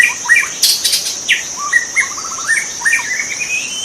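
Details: Singing in its natural habitat, a white-rumped shama mixes clear whistles, quick stuttering trills and rising slurred notes in rapid succession. A loud rustle and a continuous insect whine are also heard.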